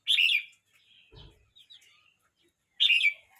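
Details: Red-whiskered bulbul aged 12 months 29 days utters a loud, bubbly whistled phrase, soft chattering and a brief thump in the gap, then another strong burst after about two and a half seconds.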